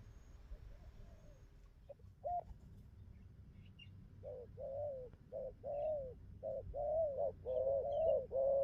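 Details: Wild-caught young spotted dove, newly into its full song and cooing well: after a quiet start with one brief note, a run of low, arched coos builds up, short notes alternating with longer drawn ones.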